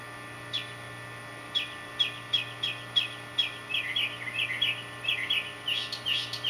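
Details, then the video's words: Male northern mockingbird singing to attract a mate, using songs copied from other birds: a varied run of sharp high chirps and short notes, sparse at first then coming faster and denser, over a steady low hum. "MOCKING BIRD- Repetroire 2"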